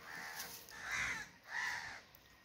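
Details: Crow calling with three rasping caws, the last two long and loud, spaced roughly 0.6 seconds apart, against a quiet background.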